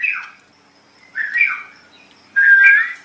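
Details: White-rumped shama singing, a tutor recording for other songbirds; three rich warbling phrases about a second apart, the last a strong sustained whistle gliding upward.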